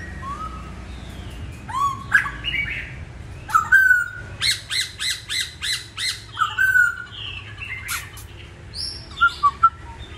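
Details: Masked laughingthrush singing the "Bắt cô chói cột" style. Opening whistles lead into a series of about eight harsh, rasping notes, roughly one every half second, then more fluted whistles and short bright notes.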